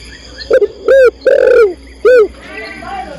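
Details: Female spotted dove calling for a male: a soft clipped note, then a short coo, a long descending coo and a short final coo, with faint bird twitter after.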